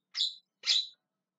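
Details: Two loud, harsh rasping squawks from a Javan myna calling, about half a second apart, the second slightly longer and fuller.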